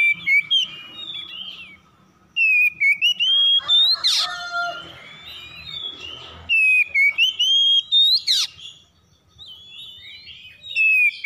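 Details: Harsh morning song of oriental magpie-robins answering one another, used as a lure: loud bursts of varied swooping whistles with two scratchy explosive notes, broken by brief quieter gaps.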